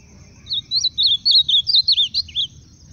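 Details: Ultramarine grosbeak giving a loud, brief song of around ten quick, rolling whistled notes that dip and rise, the phrase lasting about two seconds against near silence.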